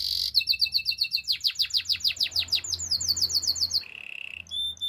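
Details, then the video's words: Canary delivering rapid chains of downward-sweeping whistles, about four per second and loud, shifting to a higher series, then a low buzzy trill and a brief ringing tone, with soft low hum behind. "Beautiful voice of canary bird | The best canary sounds"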